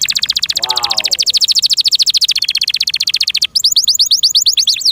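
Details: Pet canary delivering a long, loud, rattling trill of rapidly repeated high notes that shifts into a series of quick downward-sweeping whistles, with a brief human exclamation near the start.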